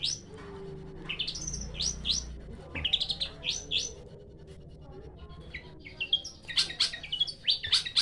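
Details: Long-tailed shrike song varied and energetic: clusters of sharp upswept notes, short gaps, then a dense run of high chattering notes near the end.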